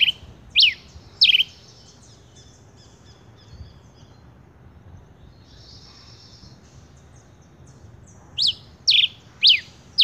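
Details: Male rufous-collared sparrow: three sharp descending whistles open, followed by several seconds of soft far-off twittering, then four more clipped high notes at a steady pace.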